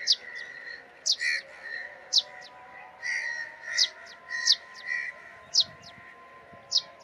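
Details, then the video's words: Sparrow chirping: short, sharp high chirps repeated irregularly, roughly one or two per second, over a steady wavering mid-pitched droning chorus and faint low tonal lines in the background. "Sparrow Chirping Sound | Chirping Sparrow Call"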